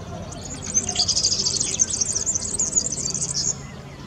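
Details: In Zamość, Poland, a European serin sings a very high, fast, jangling trill of glassy, buzzy notes lasting about three seconds over a faint low rumble.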